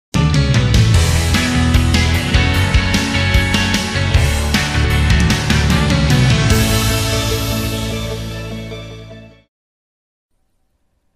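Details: Loud full-band music with heavy bass and a steady beat plays for about nine seconds, then fades to silence; no animal sounds are heard.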